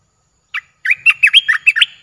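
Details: Streak-eared bulbul kept in a cage, Thailand. One short note, then a quick run of six or seven loud, bubbly, warbled phrases that swing up and down, delivered in about a second.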